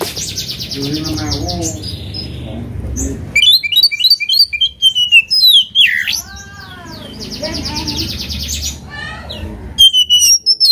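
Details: Kacer, the oriental magpie-robin, singing to rouse an opponent: harsh buzzy rattles and low background music, then a fast burst of bright, rapidly repeated whistles and sweeping slurred notes.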